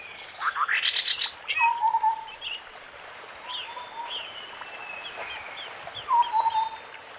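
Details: White-browed scimitar babbler in forest, with three bursts of low, hollow, fast-repeated notes spaced a couple of seconds apart, alongside assorted higher whistles and chatter from other birds.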